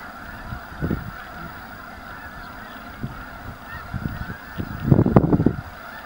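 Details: Snow geese gathered in large numbers at Anahuac National Wildlife Refuge with ducks present: low, scattered honks build to a dense overlapping burst of calls near the end over a steady hum.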